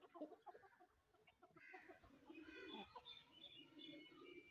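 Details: Hens feeding on sesame, giving a murmur of low overlapping clucks and pecking sounds, with brighter harmonic calls rising toward the end over steady background hiss.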